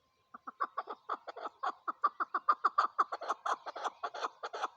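A chukar partridge gives a fast run of harsh, clucking 'chuk' notes, about five a second, swelling louder and fuller as the series goes on.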